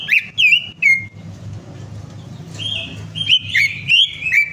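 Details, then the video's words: Greater green leafbird song, used as a lure to prompt a bird that has stopped singing: loud, clear whistled notes that sweep down and level off, in short bursts with pauses and a low steady hum underneath. "PANCINGAN CUCAK IJO MACET PARAH"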